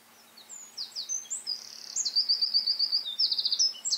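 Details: A Eurasian wren in the Eifel delivers a rapid, high-pitched song of varied chips that leads into a long, even, rattling trill, repeated at a fast pace.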